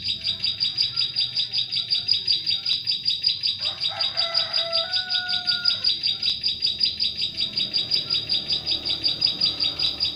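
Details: Bar-winged prinia song intended as a lure sound for prinias in forest: continuous high chirps at a fast regular rhythm, with a brief cluster of lower whistles from another bird midway.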